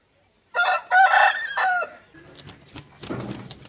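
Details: Aseel rooster giving a hoarse, choppy crow lasting about a second and a half. It fades into low rumbling noise and scattered knocks.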